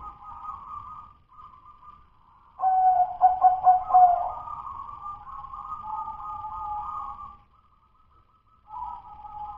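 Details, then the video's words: Natural local zebra dove whose song remains in the rough dudut-nutut manner: soft drawn-out cooing, then a loud burst of rapid pulsed coo notes, fading into a long sustained purr and a final quieter coo. "suara perkutut lokal masih DUDUT-NUTUT BELUM LOS-NEGEL-GAYER&GACOR"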